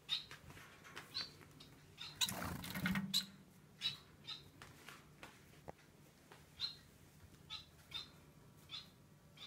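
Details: Pet society finch uttering thin, sharp chirps at a steady pace, roughly one each second, broken early on by a loud fluttering rustle, with a constant low hum behind.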